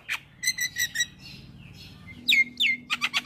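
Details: Singing male Javan myna, used to get listening mynas to sing along. Scratchy notes and thin whistles alternate, then a brief lull, loud sweeping whistles and a closing rattle of harsh notes.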